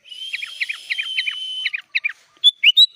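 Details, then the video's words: Sooty-headed bulbul song rich in imitated phrases, from a tutor recording: a sustained thin whistle under quick repeated buzzy notes, then separate chips and a rising, upslurred whistled phrase at the end. "SUARA BURUNG KUTILANG GACOR FULL ISIAN"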